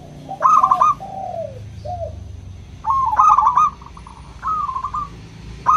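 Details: Local zebra dove singing to prompt silent doves to sing: clear bubbling coo phrases of rapid notes, each ending in a held tone, repeated about every two seconds, with softer falling coos between them.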